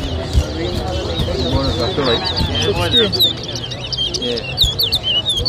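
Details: At a 2023 towa towa whistling competition in Lusignan, Guyana, a chestnut-bellied seed finch gives strings of high, sharp, twittering notes over a steady layer of music and crowd chatter.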